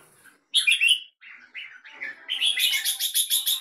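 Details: Red-whiskered bulbul singing in captivity in Singapore, a long phrase of short chirpy notes ending in a rapid series of bright repeated notes about five per second.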